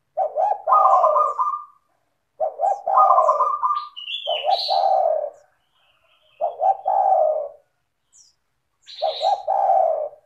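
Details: Lure recording of a spotted dove in full, clear and melodious song meant to draw other doves into singing; four deep two-part coo phrases spaced about two seconds apart, some topped by a rattling trill, with one short high whistle between.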